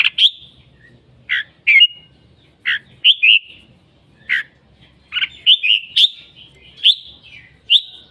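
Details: Red-whiskered bulbul singing repeatedly: short liquid phrases of two or three whistled notes, delivered about every second, some rising, some dropping, against near silence.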